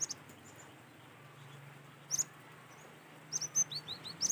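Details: Cinereous tit, apparently from Sumatra, heard in nature giving scattered high, thin whistled notes, a short pair first, then a quickening series of sharp, slightly descending chirps near the end, with soft low background hum.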